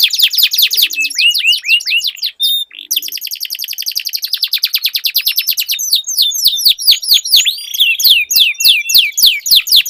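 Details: Two canaries sing against each other: rapid down-slurred chips, a long pulsing rattle repeated many times a second, then looping whistled phrases and sharp ticks.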